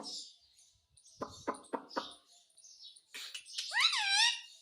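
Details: Parrot asking for food in Hindi: several soft clicks, then a long, loud, warbling harmonic call with a wavering pitch near the end.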